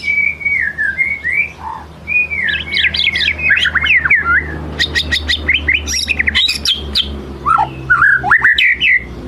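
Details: White-rumped shama in rich song meant to lure others into singing: clear wavering whistles, quick looping phrases, sharp clicks and fast chatters, continuous and energetic, with a steady low background hum.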